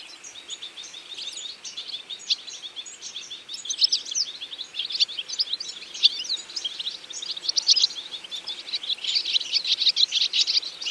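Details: European goldfinches, a feeding flock in autumn: continuous busy chorus of bright, high tinkling twitters and chirps from many birds, building louder toward the end.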